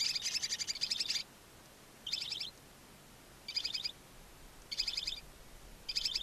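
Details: Newly born barn owl chicks, two alone in a nest box beside a chimney in Ságvár, Hungary, April 23, 2024, nest camera: high, rapid chittering bursts, a long one first, then short ones about every 1.2 seconds.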